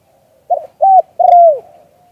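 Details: Spotted dove giving a cooing phrase in the "liu tan" style, recorded live: a short mellow note, then a flat cooing hoot and a long drawn coo that slides downward at its end. The background is quiet.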